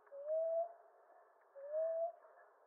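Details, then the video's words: Common ground dove from eastern North America giving two soft, low, rising coos about a second and a half apart, each swelling then fading, against a quiet background. "Ground Dove Sound"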